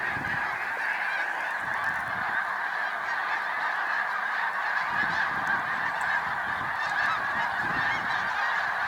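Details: A great gathering of Snow Geese at a spring rest stop on Cayuga Lake, New York, 20 March 2021, calls without pause in overlapping honks. Bursts of low rumbling come and go in the background.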